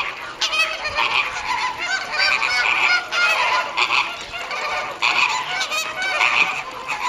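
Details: A dense chorus of honking from a captive Caribbean flamingo flock at WWT Slimbridge on 4/5/2011, with repeated nasal calls overlapping almost without pause.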